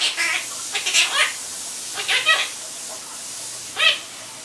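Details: Pet Quaker parrot chattering. Several clipped, scratchy, harmonic squeaks come in small clusters, then a gap and one louder final squawk over a quiet low hum.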